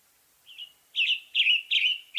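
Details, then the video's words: Western tanager song, western North America: a quiet first phrase then four strong hoarse phrases in steady rhythm, with faint background hiss. "Western Tanager Bird Song"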